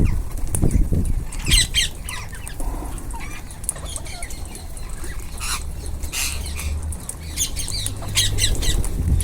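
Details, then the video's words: A group of rose-ringed parakeets eating gives harsh, scratchy squawks in uneven bursts, with wing flutters and a low background rumble. "Ringneck parrots group //eating // natural sound"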